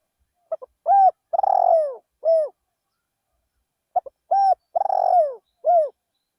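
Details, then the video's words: Rice-field decoy spotted dove cooing. Two phrases separated by a pause of about two seconds. Each has a pair of tiny clicks, a smooth coo, a buzzy lengthened coo that drops in pitch, and a clean closing coo. "นกเขาใหญ่เสียงเพราะๆ ต่อนกเขาใหญ่ ที่ทุ่งนา"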